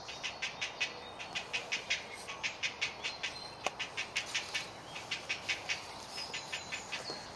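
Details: Hungry heron chick of a great blue heron colony in the woods of Delftse Hout, South Holland, calling for food; crisp clicking pulses repeat in a steady run, with a brief knock and faint bird twitters nearby.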